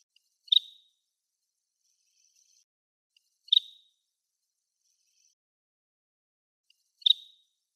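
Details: Greater sand plover, a wild bird on grass on Yonaguni Island, Japan, gives three short, sharp, high calls, each with a quick rasping tail, spaced about three and a half seconds apart. Faint thin high trills sound between them in otherwise quiet surroundings.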